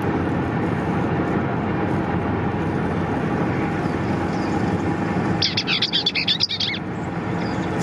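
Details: A Bell's vireo (Vireo bellii), very vocal but hiding in dense brush, gives its cheedle-cheedle-chee song, a quick chattering burst of high, scratchy notes lasting just over a second over a steady roar of road noise.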